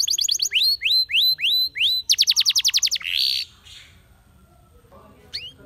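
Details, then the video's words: Canary identified as a Belgian canary, though described as a Spanish Timbrado training song, sings a run of quick upward-swept whistles, then a fast metallic trill and a brief buzzy note, ending in near quiet. "Spectacular Spanish Timbrado Canary, This Canary Invites All Birds to Sing"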